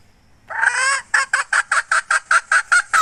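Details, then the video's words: Hen recorded in 2021: a long harsh nasal note, then about nine short, loud, clipped clucks in a fast, slightly uneven series, over a quiet background. "Suab poj qaib seev dib tuaj"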